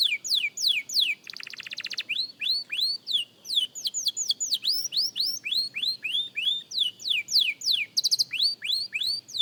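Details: Beginner canary rehearsing song, a long rhythmic series of rising and falling whistled slurs, about three per second, broken by brief buzzy trills.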